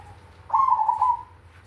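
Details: A single loud trilled coo from a black cemani zebra dove, the big kung style of song, beginning abruptly and fading after under a second, over a faint low hum.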